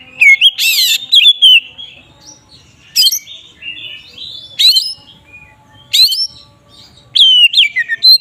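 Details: Oriental magpie-robin delivering its provocative "ngeplong" song to agitate rivals: bright whistled phrases broken by sharp, high, rasping bursts about every one and a half seconds, with softer warbled notes between.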